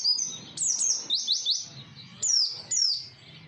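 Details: Oriental white-eye song used as a lure for other white-eyes to reply: high down-slurred notes, then a rapid run of four short falling chirps, followed by two louder descending whistles, low background noise throughout.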